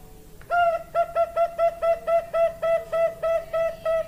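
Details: Bangkok-type zebra dove (perkutut) giving a fast, even series of short clipped coos, about four per second, all on one steady pitch after a brief quiet start.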